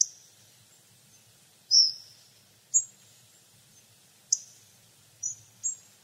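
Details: Hawfinch (Coccothraustes coccothraustes) calling: a string of six abrupt, high, metallic tick notes at irregular intervals, some slightly drawn out into a short thin tail, with near silence between them.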